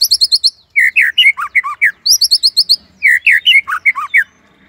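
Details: White-rumped shama delivering tembakan Cililin song for master training, alternating short bursts of rapid high chips with lower swooping, looping whistles, repeated twice.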